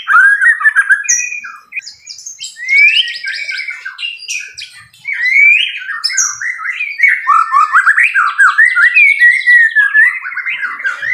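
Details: Fighter-type white-rumped shama in loud 'tembakan' song: varied whistles, sharp high squeaks and rattling bursts flow almost without a break, ending in a long run of quick, rolling notes.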